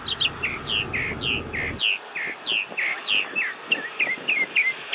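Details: Bird singing outside a window near an airport at midday in spring: a quick run of short, bright, down-slurred chirps, about three a second. A deep rumble fills the first two seconds, then stops.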